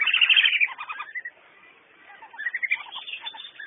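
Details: A wandering whistling duck (Dendrocygna arcuata) gives thin, high whistles in quick twittering bursts, several notes a second, with a short quiet gap midway.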